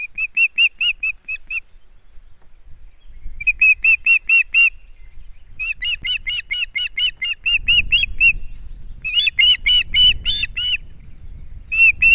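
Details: At an Estonian osprey nest in 2018, repeated bursts of shrill, piping whistles come in rapid runs of six to ten notes separated by brief pauses, with low rustling and knocking noises underneath.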